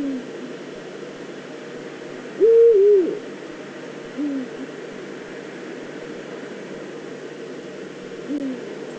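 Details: Probably female Eurasian eagle-owl at its nest scrape in the Eifel, September 2014: a strong, wavering, slightly higher hoot near the middle, with fainter low hoots at the start, after it and near the end, over a steady low hiss.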